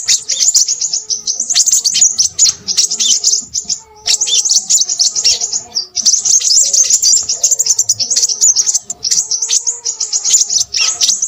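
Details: Crimson sunbird singing busily, sending out long bursts of shrill, rapid twittering lasting two to four seconds each, separated by brief gaps, all very high and sharp.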